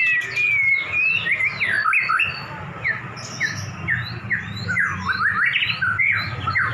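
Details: White-rumped shamas kept in cages, two prize birds set against each other in a duel; rich, fluid whistled song of rising and falling slurs repeated about twice a second, loud and continuous, over a low hum.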